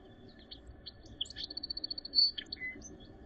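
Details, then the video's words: Song sparrow on a snowy April day in 2023, Northern Ontario, singing a phrase that opens with scattered chips, accelerates into a steady string of about ten high repeated notes, then ends with a loud whistle and a lower buzz. "Song Sparrow Sings"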